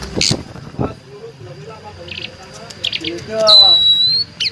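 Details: A tame, free-released Asian Pied Starling with a full repertoire sings a jumble of clicks, chatter and a loud, high, drawn-out whistle.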